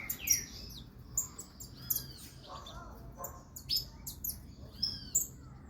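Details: Canária-da-terra, the saffron finch, called fogosa: bright, high chirps alternating with short descending whistles and a few lower twittered notes, in bursts roughly every second, on a quiet background.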